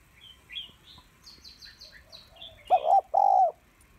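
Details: Female spotted dove calling to stimulate males: two loud, hoarse cooing notes in quick succession near the end, each slightly wavering, preceded by a scatter of thin, high chirps and twitters from small birds.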